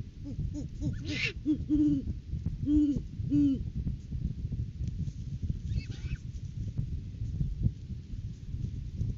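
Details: Great Horned Owls, a mated pair visiting their nest tree in courting season before February egg laying, filmed by live camera on January 9, 2023; a quick run of low muffled hoots early, then two more, amid low-frequency rumble.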